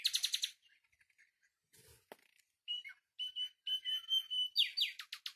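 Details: Common nightingale song opening with a loud rapid rattle, then soft notes, a sharp click, and pure whistled tones held steady and repeated, swelling before quick harsh repeated strokes.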